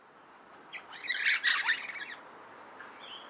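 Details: Crimson (Adelaide) rosellas, two pairs, perched in a eucalypt at Littlehampton, South Australia, on 23 July 2021. They were tail-wagging in display near a possible nesting cavity. One burst of harsh, rapid chattering rises and fades, with soft notes before and after.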